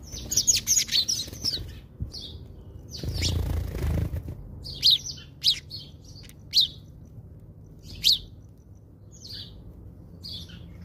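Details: House sparrows at a South African feeder taking birdseed; a quick cluster of bright, sharp chirps, then single loud cheeps spaced about a second apart, with a brief rustling thump partway through.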